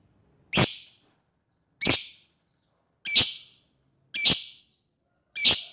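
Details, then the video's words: Lovebird calling to an opponent, five strident, high-pitched screeches spaced about 1.2 seconds apart, each sharp at the start and trailing off quickly. "the sound of lovebird birds long choking lovebirds calls out to the opponent !!!"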